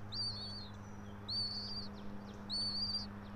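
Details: From a bald eagle nest high in a pine in Johnson City, Tennessee, filmed by nest camera at dawn on 3 April 2024: three high piping whistles, each slightly wavering, spaced just over a second apart, with a low mechanical hum beneath.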